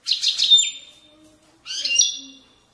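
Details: European goldfinch in the Widani song style from Moroccan valley banks, giving two short bursts of high, tinkling twittered notes about a second apart, with one long thin whistle tone and quiet gaps between.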